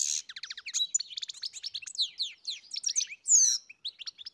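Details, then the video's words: European goldfinch song from a farm: a loud, fast tumble of sharp descending chips, tinkling twitters and a rich drawn-out whistled note near the end. "Καρδερίνα μελωδία (Goldfinch carduelis SINGING)"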